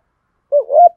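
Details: Spotted dove decoy song in the 'giọng thổ' style for rousing males to coo: one brief phrase, a low rounded note sliding into a slightly rising, vibrating coo.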